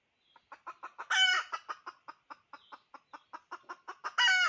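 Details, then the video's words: Clucking decoy hen: evenly spaced short clucks broken by a loud grating squawk early on, more rhythmic clucks, then a second harsh squawk at the close. "Poj qaib dib tsauj thiab seev zoo เสยงเมยไก่ต่อกะร้อง"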